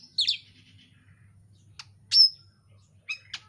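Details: Oriental magpie-robin song for provoking a bird to sing, made of a rough chattering burst, a thin click, a loud high whistled note with a falling tail, and two closing chips.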